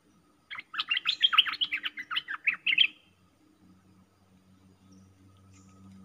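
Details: Streak-eared bulbul trapping lure: a fast, excited burst of about fifteen sharp, chattering chirps packed into two seconds, then silence apart from a low steady hum.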